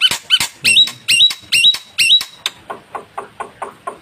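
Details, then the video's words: White starling giving a string of harsh, clipped notes, each ending in a short high whistle, repeated about twice a second, then softer dry chatter, with a brief human voice nearby. "BURUNG JALAK PUTIH VOLUME YANG CERDAS"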